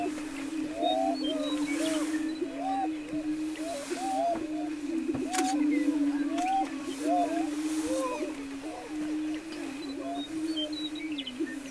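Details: A long stretch of greater prairie-chicken booming on a lek near Wray, Colorado, April 17, 2011: a droning low chorus beneath many short rising and falling whoops and cackles, with an occasional click.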